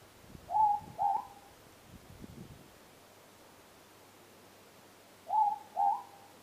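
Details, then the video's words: Ruru (morepork) calling outdoors at night not far away: two paired hoots about five seconds apart, each a level whistled note then a slightly higher rising note, over quiet background with faint low rustling. "Ruru, the morepork sound."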